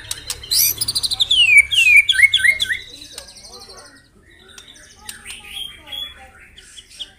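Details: White-rumped shama singing in the morning to provoke rivals: harsh high burst, a cascade of downslurred whistles, then quieter, scattered high notes.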